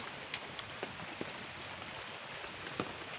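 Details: Steady rain patters on a surface with scattered louder drops and no animal sound.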